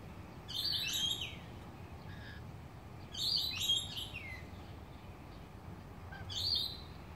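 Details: Lorikeets feeding in a Jamaican cherry tree; three bursts of harsh, screechy, shrill chatter about every three seconds, with low background rumble between calls.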